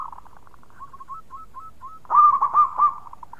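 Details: A local zebra dove (perkutut) sings loudly, with other birds said to answer: soft, rolling coos at first, then a burst of three loud, throaty cooing notes about a quarter second apart.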